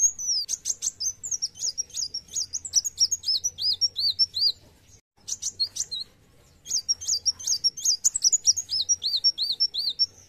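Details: Two extended outbursts of rapid, high, chattering and whistled notes from a kolibri wulung sunbird singing in fierce narung style, a few seconds of silence between them.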